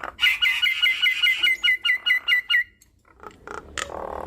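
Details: Lively Nias hill myna showing off its learned phrases to coax quiet birds into singing: a fast, even train of about a dozen bright chirps, then a pause with faint notes and a harsh rasp.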